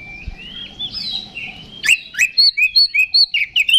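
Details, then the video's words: Oriental magpie-robin singing to trigger a combative response in other males; soft warbled opening over background murmur, then a loud sharp note and a steady run of bright, evenly spaced whistled phrases. "KACER GACOR NGEPLONG TARUNG !! PANCINGAN KACER PALING AMPUH BUAT MENAIKAN EMOSI KACER AUTO RESPON"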